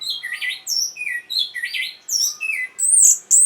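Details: Orange-headed thrush song played to stir breeding condition and draw a response: a varied run of short whistled and slurred notes, some falling, some rising, with brief high squeaky phrases near the end.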